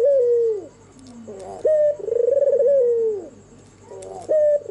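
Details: Albino white turtle dove with red eyes cooing at night: the tail of one falling coo, then a soft low note, a clipped rising call and a long rolling trilled coo, with another phrase starting.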